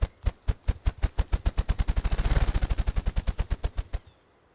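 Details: On a spring-migration morning, a male Ruffed Grouse drums with its wings in dense understory: deep, muffled thumps start slowly, speed into a rapid whirring roll, then fade out, all within about four seconds.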